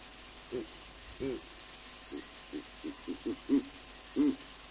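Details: Two Verreaux's eagle-owls at a camera site in Olifants West Game Reserve, South Africa: a series of deep, grunting hoots, about nine low pulses in under five seconds, irregularly spaced and louder toward the end, over steady high insect trilling.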